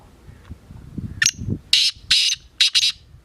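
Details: Black francolin (kala teetar) calling. A short upslurred note opens a loud rasping series of four broad, scratchy bursts. Soft low rustling can be heard before the phrase.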